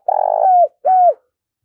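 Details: Decoy spotted dove in daily voice training ends a phrase with a long, rough, throbbing coo that slides downward. A shorter clean coo falls at its close.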